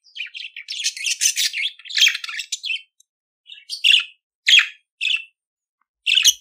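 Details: Budgerigar warble: a long continuous stretch of scratchy chatter, then separate single squawky chirps spaced about half a second to a second apart.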